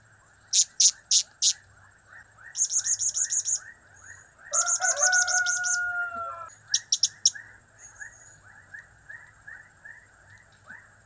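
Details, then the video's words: Blue-crowned hanging parrot in lively cap-cap, kiak-kiak, crap-crap calling. Very high, sharp notes come in quick runs and stuttering bursts. They sit over a steady chirping chorus and a longer, lower whistled phrase in the middle. "Trio Cap²/Kiak²/Crap² Semakin Gacor"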